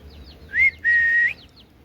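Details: Talking Indian ringneck parakeet producing two clear whistled notes, a short one then a longer, level, slightly rising note, in a quiet room.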